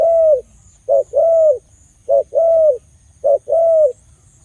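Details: Khmer dove with a big voice, giving a short clipped note followed by a long, steady mid-pitched coo, the pair repeated three times at roughly one-second intervals over a faint low background hum.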